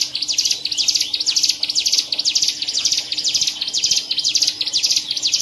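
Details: Caged Hill prinia, a contest-winning bird from Medan, recorded at a songbird event on 7 March 2019, singing nonstop: dense, rapid bursts of high, scratchy, buzzy chirps about twice per second, over a faint steady low hum.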